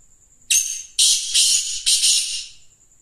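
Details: Black francolin, locally called kala teetar, calling. A loud, harsh, hissing call of four rasping bursts is delivered within about two seconds, with a thin steady high tone heard before and after.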